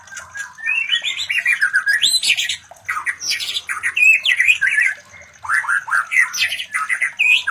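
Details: Mating call of a white-rumped shama, played to stir other shamas to breed; loud, varied run of harsh chattering notes and fluty whistled slurs, with two brief pauses.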